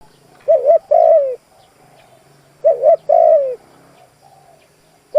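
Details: Spotted dove, a decoy bird used to lure wild doves, giving loud mellow coos: a short double note then a longer falling coo, phrases repeated about every two and a half seconds, with quiet background.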